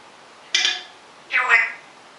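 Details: A rescued African grey parrot of uncertain sex, which talks when its owner leaves the room, utters two short, raspy, speech-like phrases, each under half a second and about a second apart, in a quiet indoor room.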